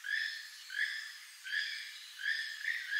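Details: Keel-billed toucan song: a far-carrying run of short, grating, frog-like croaks, about five in three seconds, each slightly rising and repeated steadily. No other sounds stand out.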